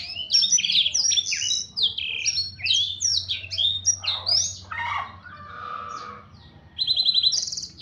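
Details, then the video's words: Blackthroat singing a quick run of bright slurred whistles and chirps, then lower rattling notes midway, closing with a fast high trill after a brief lull. "suara burung blackthroat"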